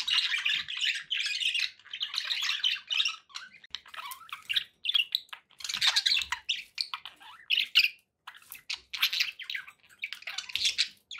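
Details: Indoor budgies chatter in bursts of scratchy, buzzy twitter and sharp chirps, pausing briefly between phrases, with a few higher squeaky notes.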